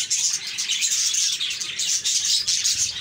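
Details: Budgies chirping cheerfully as a flock: loud, crowded high chatter with quick twittering notes running without a break.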